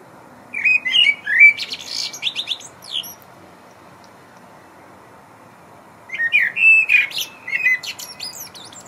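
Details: Evening song of a blackbird perched atop a concrete tower block at eleventh-floor height: two phrases, each opening with rich flute-like whistles and ending in squeaky high chatter, separated by about three seconds of silence.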